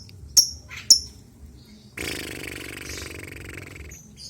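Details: Albino lovebird: two sharp, very high clipped chirps about half a second apart, then a brief quiet spell before a prolonged harsh, rasping chatter lasting over two seconds.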